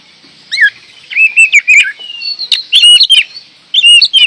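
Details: Oriental magpie-robin singing: separate bursts of clear whistled notes, some drawn out and falling, others short and repeated, with sharp clicks and brief pauses between phrases.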